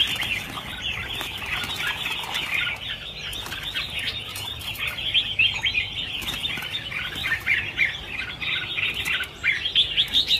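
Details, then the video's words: About a thousand red-whiskered bulbuls being freed at New Year, a dense, continuous chorus of overlapping bright chirps and short whistled notes, many birds calling at once, with faint low rumble beneath. "Phóng sinh 1000 con chim chào mào - chào mào căng lửa"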